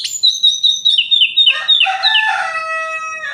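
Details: Orange-headed thrush night song, played to provoke other males: a rapid string of clear, high whistled notes slipping downward, then a richer, buzzy phrase of layered tones.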